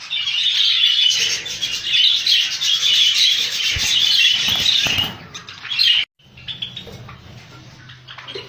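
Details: Colony of rainbow budgerigars: dense high twittering chatter from many birds with wing flapping, then a sudden cut to quieter scattered chirps and a low hum.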